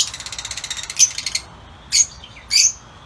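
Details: Caged lutino Fischer's lovebirds outdoors: a fast, rattling series of shrill ticking notes about ten per second, followed by three separate loud, squeaky high-pitched calls.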